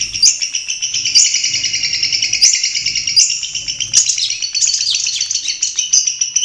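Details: Long-tailed shrike in its natural habitat, singing a dense, continuous warbling stream of scratchy notes and high sharp whistles, steady and unbroken throughout.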